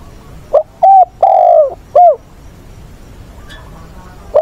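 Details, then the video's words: Spotted dove decoy bird coos for training wild-caught birds, 20 August: a short run of low, hollow coos, four notes close together with one drawn out, then a pause and a final coo. "Chim cu mồi giọng bổi ức chế"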